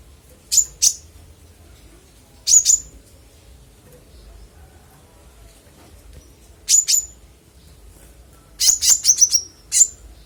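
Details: Konin in full song, clear-voiced, used as master audio for training songbirds: short sharp high chirps in pairs and a rapid run of five descending notes, spaced by pauses of a few seconds, quiet background.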